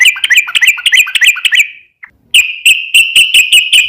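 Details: Sooty-headed bulbul, long 'ropel' lure song: a rapid bubbly warbled run, a short pause, then an even string of clipped ringing notes about three per second.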